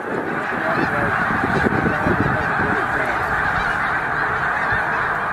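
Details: Middle Creek Wildlife Refuge stopover of around 100,000 migrating snow geese: a steady, uniform din of overlapping honks, no single call standing apart from the chorus.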